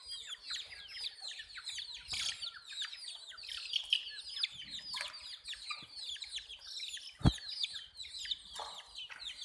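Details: Many hen chicks peeping in a dense chorus of high, quick, descending chirps, with sharp clicks and taps scattered through.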